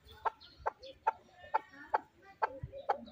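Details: Chukar partridge kept as a fighting bird, giving sharp clucking notes roughly every 0.4 seconds, seven in a row, over faint low background rumble.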